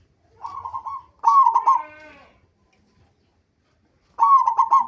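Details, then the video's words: Zebra dove, local type, singing to lure other doves into song: two bursts of quick, bouncing coo notes, a drawn-out trailing note, a silent gap, then another rapid phrase. "pancingan perkutut lokal gacor"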